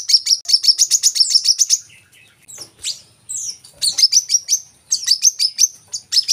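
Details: High metallic trilled notes from a coconut sunbird, used as a lure recording to make kept birds sing; a quick run of sharp chips, a brief pause with scattered twitters, then more rapid high trills.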